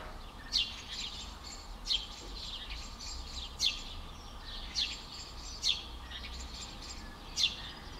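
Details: Eurasian tree sparrow excited and warning at its nest, Skřivany, Czech Republic, 11 May 2015: sharp, high chirps given singly about every second, against steady rural background noise and a low rumble.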